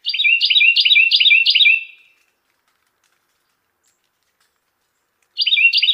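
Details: Carolina wren (Thryothorus ludovicianus) song: a loud, rolling string of five quick, ringing phrases, then about three seconds of silence before the same repeated phrase starts again.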